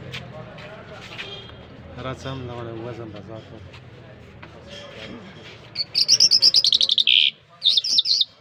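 A person talks quietly for several seconds, then a bird breaks in with loud, high, rapid chirps in two quick bursts.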